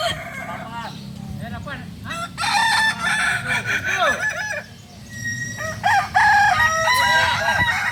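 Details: At a crowing practice for kukuak balenggek chickens, a native breed of Solok, West Sumatra, several roosters crow in overlapping, stepped multi-syllable phrases, with clucks and a low murmuring background.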